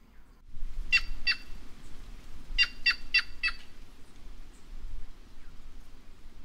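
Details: Rough, buzzy calls of a White-naped jay: a pair of notes, a pause, then a rapid series of four, against a rumbling low background noise.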